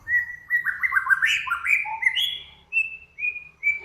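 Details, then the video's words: Training recording of cage-bird song compiling Samyong, Kancilan Flores and Garugiwa: a dense warbled run of overlapping whistles, followed by three clear, evenly spaced whistled notes over a soft low hum. "Burung Samyong, Kancilan Flores, Garugiwa Gacor"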